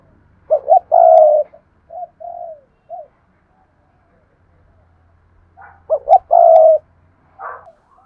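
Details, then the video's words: Spotted dove kept as a lure bird, delivering its urging coo: two clipped notes lead into a long rough coo, then fading softer notes; the phrase repeats after several seconds of quiet. "Tiếng chim cu gáy thúc và gáy gọi mỗi ngày"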